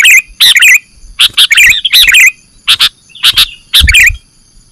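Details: Sooty-headed bulbul calls from a lure recording for trapping birds: loud bubbly chirped phrases of two or three notes, repeated about every half second to second, with a steady faint electronic whine beneath.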